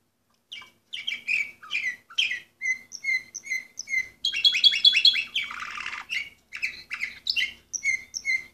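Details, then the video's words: Orpheus-breed canary, bird number 24 from 2014, singing a series of short chirped phrases, each repeated several times. Notes are high and bright, with a denser buzzy rolled section in the middle before clear chirps return. "canary orpheus"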